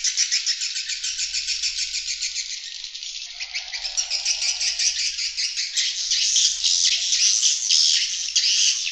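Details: Swiftlet external sound for luring swiftlets: continuous dense rattling chatter, high and buzzy, with fast pulses running almost without pause and a soft lower trill partway through.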